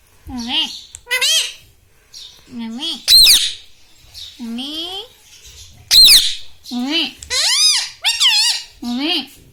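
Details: Talking green parrot kept as a pet, mimicking "mummy", "papa" and "radhe radhe"; loud, piercing word-like calls repeated in irregular bursts, some rising sharply, with short silent pauses.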